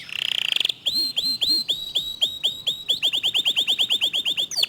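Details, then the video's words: Clear, fast song of a local canary: a buzzy rolling trill opens, followed by evenly spaced sweeping whistles that speed up into a rapid, dense string of repeated notes. "Kicau Kenari Lokal Tembakan speed rapat Suara Jernih"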